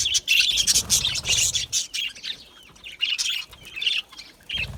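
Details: Chattering budgies: a loud run of overlapping high chirps and warbles at first, then sparser squeaky notes with pauses, and low thumping near the start and end.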